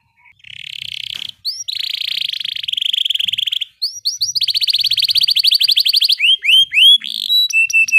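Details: Rolling canary song (ngeroll) meant as training material for caged birds: long stretches of rapid buzzy trills, broken by upswept whistles, a fast stuttering rattle, and closing clear repeated pips.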